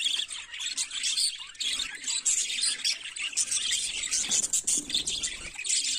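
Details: Budgerigars chattering in the morning, a nonstop wash of high, scratchy chirps and warbling notes from many birds, with faint soft rustling lower down midway.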